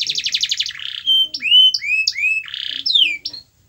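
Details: Domestic canary singing, used as lure song for a reluctant singer: a quick pulsed trill, a flat held whistle, then a series of rising and falling slurred whistles and a buzzy roll.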